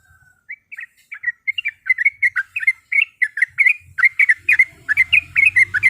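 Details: Breeding-condition female yellow-vented bulbul calling to males, used as a rival-provoking lure: a soft opening note, then the chirps speed up into a lively, tumbling chatter that grows louder.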